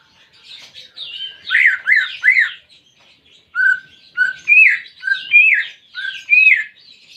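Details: Greater green leafbird, a caged pet bird, sung as therapy to get a silent bird singing: rapid looping upslurred whistles in bursts, then clear short notes alternating with buzzy chattering phrases.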